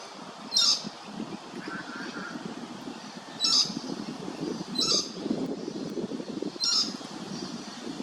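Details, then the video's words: Lewin's honeyeater at Hervey Bay, Queensland, giving four short, harsh rattling bursts, high and staccato, spaced one to three seconds apart, over a steady low rumble like distant traffic. "Lewin's Honeyeater"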